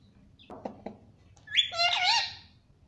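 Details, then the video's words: Pet parrot calling: a few low clicks, then a loud harsh squawk with a rising, wavering tone, short and noisy. "आज तो kitu ki aavaj mast hai"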